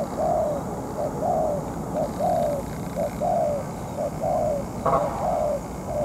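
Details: Spotted dove used as a ground trapping decoy despite its moult: loud, regular sequence of soft coos, short and long notes paired, near one per second, with a brief click near the end.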